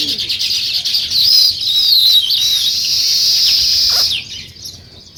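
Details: Sparrows chirping in the morning in a village: a dense, overlapping chorus of bright, high twittering notes that runs almost without a break, then fades toward the end.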